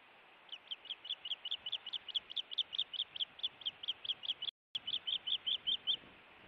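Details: During an intruder incident at a Montana nest on 16 June 2017, an osprey gives a steady rapid chatter of short whistled chirps, roughly two per second, briefly interrupted by a gap.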